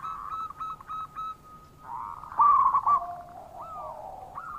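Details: Local zebra dove calling as a lure to rouse doves reluctant to call: a steady run of soft coos, a short loud burst of rapid notes, then lower drawn-out and rising coos.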